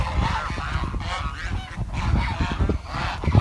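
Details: Several village swans give nasal, trumpeting honks that overlap in a steady, chattering stream, over a low background rumble; swan.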